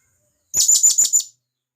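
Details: Wild blue-crowned hanging parrot from the jungle calling to companions with one loud, quick series of five sharp, high, squeaky notes lasting under a second.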